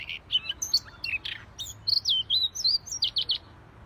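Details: Siberian rubythroat, called si leher merah, singing in gacor style: a rapid, nearly unbroken stream of high chirps, bright whistles and short slurred notes that jump between pitches over four seconds.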